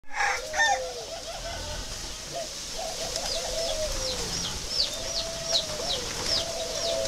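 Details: Spotted dove of the pink-necked northern variety, a kept bird from northern Vietnam, giving a low, hoarse, rolling coo in repeated phrases, with high chirps of other small birds in the background.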